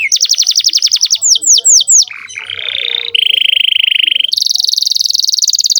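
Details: Canary song used to train juvenile canaries: rapid falling-note trill, a few swooping whistles, then a lower steady trill and a high buzzing rattle.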